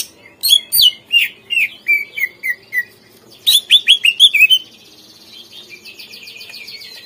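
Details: Greater green leafbird song meant to lure untrained captive birds into answering and singing: a string of loud falling whistles and chirps about three per second, then a fast burst, fading into a buzzy rattling trill.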